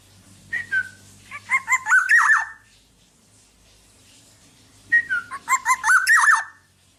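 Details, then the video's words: Black-naped oriole in gacor song as training audio for other birds: two phrases of rolling fluty whistles and rough buzzy notes about four seconds apart, over a faint low background hum. "Burung Kepodang Podang gacor buat masteran"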